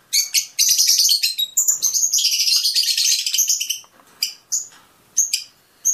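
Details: Song of Fischer's lovebirds, meant to encourage mating: a nearly continuous, rapid, high-pitched chattering and twittering for about four seconds, followed by a few isolated sharp chirps.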